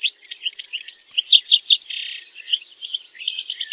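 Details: European goldfinch song for mating and for teaching goldfinches to sing: a fast liquid twitter of slurred notes broken by a short harsh buzzy note in the middle, ending in quick repeated trilled notes.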